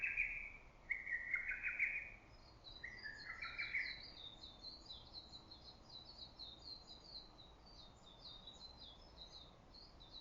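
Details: Early-summer forest: a lesser cuckoo's emphatic phrase opens, then fades. Afterward, a steady stream of high, thin twittering from other birds fills the rest of the clip.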